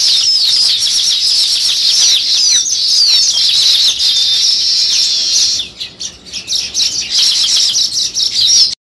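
A busy flock of house sparrows chirps nonstop, with bright, overlapping cheeps and chatter that briefly thin out and then pick up again.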